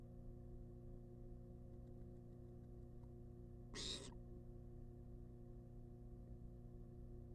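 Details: Wild barn owl in a monitored nest box demanding food, heard as a single short rasping hiss-screech in an otherwise quiet stretch with constant low electrical hum.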